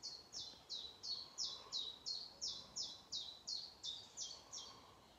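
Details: Bird singing in the morning, heard at a distance: an even series of high, thin descending chirps, roughly three each second, against quiet, steady background hiss.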